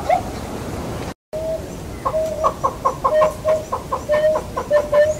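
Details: Southern yellow-billed hornbill calling in Kruger National Park, South Africa: a steady series of short, hollow clucking notes, roughly three per second, some drawn slightly longer, over a noisy background.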